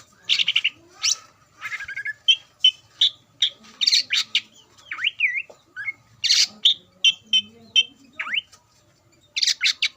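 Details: Greater green leafbird song meant to provoke other leafbirds: busy chattering mix of sharp notes, rising and falling whistles and buzzy bursts, fairly continuous with brief pauses, softer overall.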